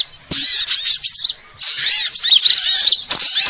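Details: Sunbird lure call: short bursts of high, sharp twittering chirps, a quiet gap midway, then renewed dense chattering.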